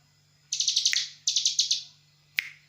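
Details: Bar-winged prinia call used as a lure to make birds answer: two quick series of about six sharp high chips, then a single loud chip.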